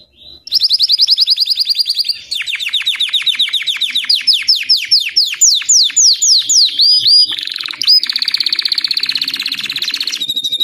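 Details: White crested Belgian canary delivers an extended song of rapid rising chips, repeated falling slurs and a long steady trill lasting several seconds.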